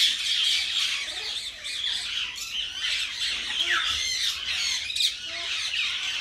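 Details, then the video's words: Tame common myna kept as a pet, talking: continuous rough, hissing chatter with quick squawks about two to three per second and a few clear falling whistles in the second half. "Common Myna Talking"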